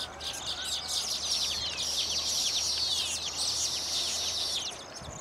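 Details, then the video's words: A colony of baya weavers in mating display at new nests, pruning and wing-fluttering for inspecting females; a dense, continuous chorus of high sliding chirps layered over a sizzling buzz. "Baya Weavers sing and dance after building their nests"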